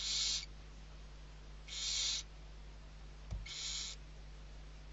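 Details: Barn owl young at feeding time in Riet Vell reserve, Ebro Delta, Spain, 21-11-23: three noisy hissing screeches about every one and a half seconds, plus one soft thump.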